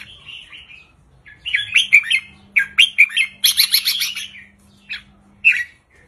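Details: Red-whiskered bulbul song from a caged bird, short simple 3-4-5 counted phrases aimed at stirring other birds; soft warble, then loud bubbly chirps building to a quick rattled run, one final sharp note.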